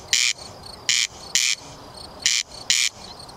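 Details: A corn crake in Bolu, Turkey, recorded away from its living areas, gives dry, rasping double notes, crex-crex, repeated in pairs about every second and a half, with faint thin bird notes behind.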